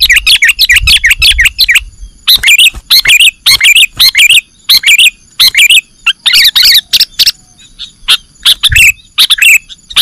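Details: Sooty-headed bulbul calls used as a lure for catching birds: dense bursts of short bubbly chirps, rising and falling, packed in quick runs with brief gaps, and a low rumble early on.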